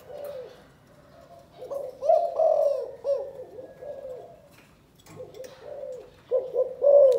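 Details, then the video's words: Spotted dove, Can Tho, Vietnam, in the 'chụp chụp ô' calling coo: two groups of rounded, low hooting notes, the second rising in strength, with soft noise between. "Chụp chụp ô gáy gọi Thái Vân hoa : Cu gáy Cần Thơ"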